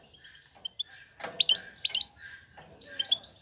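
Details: Female European goldfinch calling for a mate; soft high twittering and chirps with a louder burst around the middle, faint background hiss.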